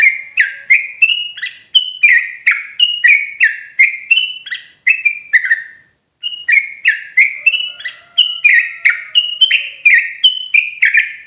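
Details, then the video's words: Clear, loud lure call of sooty-headed bulbul for trapping in forest: long rolling sequences of liquid whistled notes about twice a second, rising then falling in steps, broken by one short pause midway. "SUARA PANCINGAN TRUCUKAN KERAS JERNIH COCOK UNTUK PIKAT TRUCUKAN DI HUTAN"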